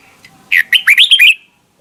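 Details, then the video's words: Red-whiskered bulbul song used to train bulbuls to sing in the morning, in the 'âm kép già rừng' double-note wild style: one short burst of loud, slurred whistled notes sweeping up and down, lasting under a second. "Luyện giọng cho chào mào hót sáng, ép chào mào hót âm kép già rừng hay tuyệt!"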